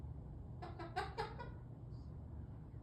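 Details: Pet parrot mimicking chicken noises: a brief run of four or five quick harsh clucking notes over a steady low hum.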